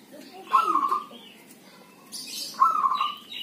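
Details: Healthy zebra dove singing during rain or drizzle, two trilled cooing phrases about two seconds apart, each a bright burst of quavering notes falling into a steady purr, over a constant hiss of rain.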